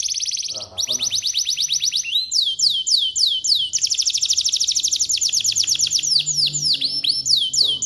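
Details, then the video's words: Canary in full, vigorous 'gacor' song in the 'cengkok mewah' style: long, fast trills of sweet, rising notes, rolling chains of upslurred whistles and sharp buzzy bursts, sung almost without pause. "Suara Burung Kenari Gacor cengkok mewah"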